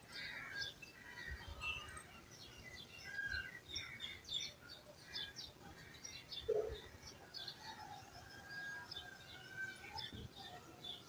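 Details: Village birds chirping in a natural ambience with people's voices: many small birds give scattered short high chirps and twitters, overlapping throughout, over a faint low background rumble and a soft distant murmur.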